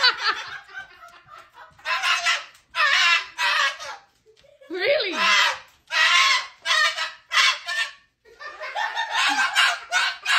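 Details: At 10:15 at night a pet cockatoo refusing to go to bed gives harsh, raspy screeches in bursts about every second, while its owner speaks to it in between.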